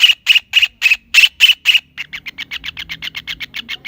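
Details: Kingfisher calling with six loud, harsh, evenly spaced notes, then switching to a faster, softer chattering series of short clipped notes.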